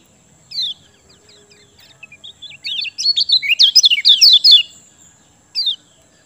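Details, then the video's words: Kecial kuning, lemon-bellied white-eye, singing to coax lazy birds into song: scattered high chips build into a fast jumble of sharp twittering notes, followed by a single chirp after a pause. "Ciak Joss Kecial Kuning Ampuh Bikin Gacor Pancingan Kecial Malas Bunyi"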